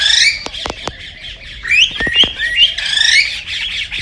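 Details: Breeding-stimulation recording of cockatiel song: clicking taps first, then a series of rising whistled slurs and harsh squawky chirps in quick succession.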